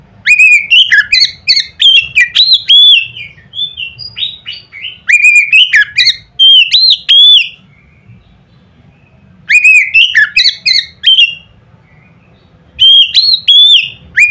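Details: Oriental magpie-robin singing loudly to provoke rival magpie-robins. Dense bursts of sharp, varied whistles and chips last about two to three seconds each, separated by short silences, with a low hum in the background.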